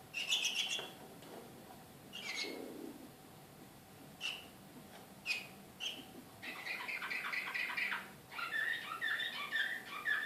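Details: Srpski Slavujar canary in Belgrade, 2014: scattered sharp chips at first, then rapid trilled runs of rattling notes and rolling phrases in the second half, with a faint steady hum underneath.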